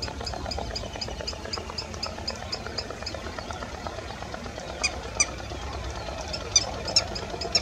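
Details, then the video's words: A Green Sandpiper gives a few sharp, high, ringing notes over a steady hiss and faint ticking. It stands calling at the edge of a village pond on an early December morning. "Green Sandpiper calling"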